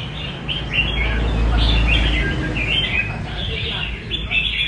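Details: Red-whiskered bulbul singing in the rê cầu style, with short warbled, whistled phrases in quick succession over a steady low rumble of background noise.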